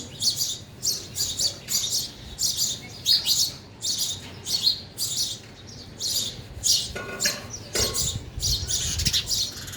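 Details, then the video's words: Busy chirping from sparrows eating at a feeder. Rapid, high, clipped notes repeat almost continuously, several per second, with a few lower rustling or wing sounds near the end. "sparrow sound effect | ચકલી ઘર | chaklino avaj"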